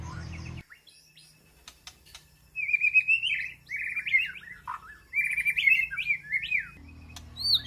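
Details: White-rumped shama in an aviary, calling to its flock: after a quiet start, a rich run of melodious whistled and warbled notes, with varied slurred phrases rising and falling in quick succession and brief pauses between bursts.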